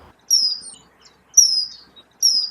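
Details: Common Kingfisher in Maastricht, along the Maas or Jeker riverbanks, giving three shrill, very high, thin whistled calls, each slightly falling, about one per second; nothing else is heard.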